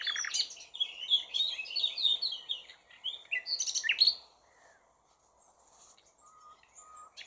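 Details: Bursts of quick chirped and slurred notes from a common nightingale for about four seconds, followed by quiet with a few soft distant calls.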